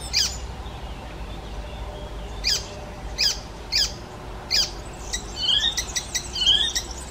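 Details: Mimicking songbird, the Icterine warbler: sharp, separate high clicks spaced about a second apart, then a run of quick whistled slurs and chattering notes.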